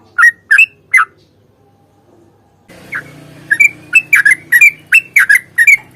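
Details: Sooty-headed bulbul in a fighting song meant to spur birds to sing: three strong whistled notes, a pause, then a rapid run of bright, rising whistled phrases over a low hum.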